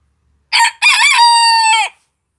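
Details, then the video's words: Antwerp Bearded Bantam rooster crowing: a brief opening note, then a drawn-out, steady, nasal crow held about a second before dropping off at the end, with no other sounds. "Antwerpian beard dwarf rooster crowing"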